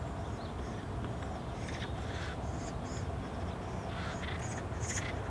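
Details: Acorn woodpeckers in a noisy family group, young nearly fledged, in an urban nature area by the American River: harsh, raspy calls in short bursts over a steady low rumble of distant engines.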